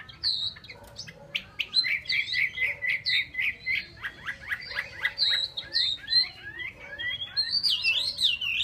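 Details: Caged Chinese hwamei in full song: a rapid, rich series of loud rolling whistled notes, repeated many times, ending in high looping phrases.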